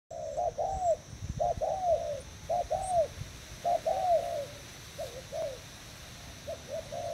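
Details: Thai spotted dove used as a decoy bird, recorded 18/06/18, cooing: low, soft arched coos in repeated two- and three-note phrases, separated by short pauses, with faint background hiss.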